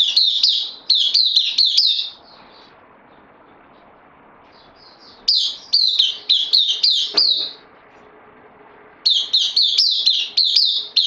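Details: Bulbul on loan, a newcomer in a cage, recorded 12 September 2020: three bursts of fast, high, ringing chirps separated by quiet gaps of about three seconds, a faint low hum underneath.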